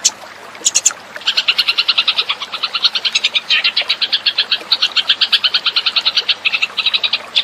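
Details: Eurasian tree sparrow lure call: fast, bright chirps in a steady chatter, about six or seven a second, high and slightly buzzy, running almost without pause over faint background hiss.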